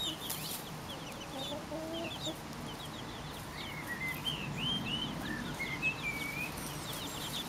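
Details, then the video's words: Four-week-old Pekin bantam chicks foraging in a garden with their silver laced wyandotte mother: a flurry of thin, high peeps, short rising and falling chirps tumbling over one another, above a low background hum. "pekin bantam chicks foraging in the garden"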